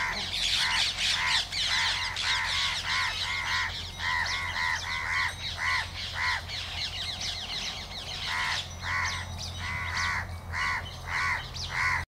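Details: Spotted owlet calling on 31 August 2022, a long run of harsh, screechy notes in rapid chattering series, pausing briefly midway before resuming, above a steady low hum.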